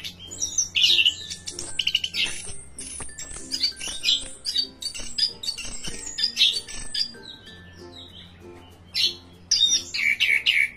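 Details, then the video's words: Lively orange-headed thrush song of varied phrases: sharp chips, bright whistled notes and buzzy twitters, with brief pauses between bursts, over a faint constant low hum. "Anis Kembang Full Gacor"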